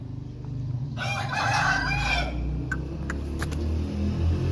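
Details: Lasani Aseel rooster giving one rough, strained crow of just over a second, followed by scattered faint clicks, all over heavy low rumbling background noise.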